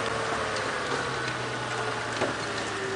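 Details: Steady engine hum from a vehicle on an evening safari drive, with faint ticking and no clear animal voice.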